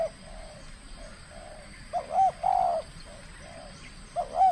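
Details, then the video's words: Aggressive spotted dove from Kepri, Indonesia, in its first contest bout. Faint cooing from another dove is followed by a loud phrase of looping rising notes and a long coo, then another phrase begins. "TEKUKUR SI BINTANG PERDANA LAGA LANSUNG KELUARKAN SKIL NYA"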